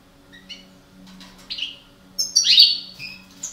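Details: European goldfinch (parva) breeding pair: light chirps and short twitters building to a loud, scratchy, descending buzz followed by a few thin notes.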